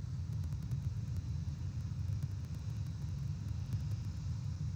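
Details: Continuous low rumble of traffic and engines, with faint hiss and no animal calls.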